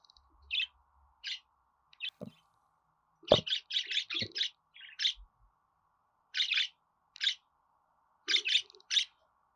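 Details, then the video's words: Budgerigar chirps scattered through a faint steady hum: single notes, then a fast run of several in a row, along with a couple of dull thuds. "Muhabbet Kuşu Ötme Garantili Kuş Sesi,Muhabbet Kuşu Sesi"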